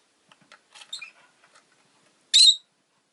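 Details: Rosy-faced lovebird making soft, scattered twitters and clicks, then a single loud, shrill chirp near the end.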